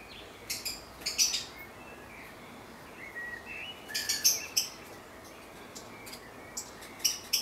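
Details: Great tit in a garden on 11 May 2014: short clusters of high, sharp chirps come in irregular bursts, with faint lower whistled notes in between against a quiet background.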